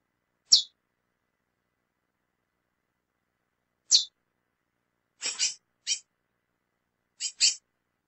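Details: Female lesser seed finch calling: a sharp, high, downslurred chip, then after a pause two short pairs of rapid high chips, in a quiet, still setting with no other sounds.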